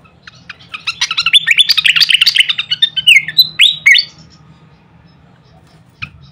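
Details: Pied fantail song for training songbirds: scattered chips build into a fast loud chattering flurry with several downward-sweeping whistles, then silence except one last chip and a low background hum.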